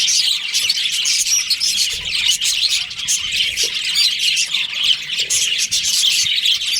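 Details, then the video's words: Many budgerigars in a breeding colony in breeding season, dense shrill chirps and scratchy squawks overlapping in an unbroken chorus. "Cute budgies chirping sounds"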